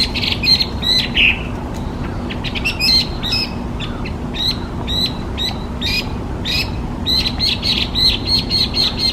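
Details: Hwamei, designated a specified invasive alien species in Japan, sings bursts of high, clipped whistles and chirps, with clusters of quick notes separated by brief pauses against a low rumbling background.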